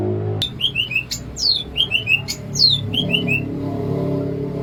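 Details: Greater green leafbird from Alas Purwo, Banyuwangi, Indonesia, in bebeciu song: a rapid series of falling whistled triplets alternating with long downward-sweeping whistles and sharp clicks, low background hum.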